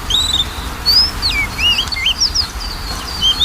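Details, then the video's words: Oriental magpie-robin song used as a lure to prompt a bird that is reluctant to sing: a rapid string of clear, high whistled notes sweeping up and down, some slurred and looping, over a faint low background rumble. "PANCINGAN KACER MALES BUNYI"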